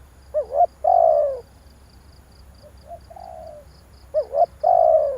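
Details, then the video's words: Spotted dove calling as a lure to excite a decoy bird. A quick two-part note is followed by a long, descending coo. A softer, quieter coo phrase comes in the middle, then the pattern repeats. Faint high pulsed chirping continues throughout. "tiếng chim cu gáy kích bổi hay"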